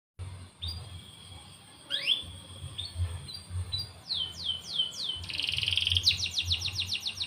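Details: Caged canary singing a morning song used to prompt other canaries to sing. Thin rising whistles, then sweeping downslurred notes that speed into a buzzy rolling trill. A low hum runs underneath.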